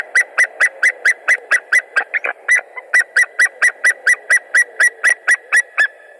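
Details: White-tailed Eagle at its nest in Latvia on 20 March 2021, mid-morning during egg incubation. The male calls a lot, perhaps at an intruder, in a long, even series of sharp, yelping notes, about three per second, with a faint steady hum behind.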